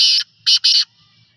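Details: Black francolin, known locally as desi kala titar, giving a harsh, rasping call: one buzzy burst, a pause, then two loud grating notes in quick succession, followed by quiet.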